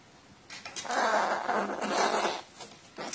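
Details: Crow recorded 29 March 2018, behaving like a nestling after being given water; one long, harsh, rasping begging cry lasting over a second, then short scratchy notes.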